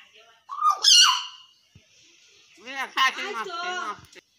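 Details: Talking hill myna mimicking human speech, said to be urging people to perform namaz prayers; a short voiced syllable, a pause, then a run of rapid speech-like harmonic syllables with rising and falling inflection.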